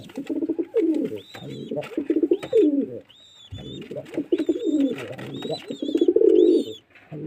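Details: Pigeon cooing in deep, rolling, throaty bursts, three long phrases separated by short pauses, while other small birds add thin, high, slurred chirps above.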